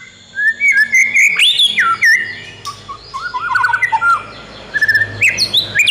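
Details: Oriental magpie-robin song used as training and prompting material for young birds: fluid whistled phrases rising and falling, interspersed with quick trills and sharp high notes, over a faint background hum.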